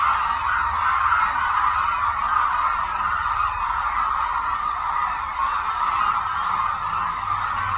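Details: Hooded cranes crowding Suncheon Bay Wetland in South Korea; a thick, sustained wall of honking calls from a large flock, steady in volume with slight swells.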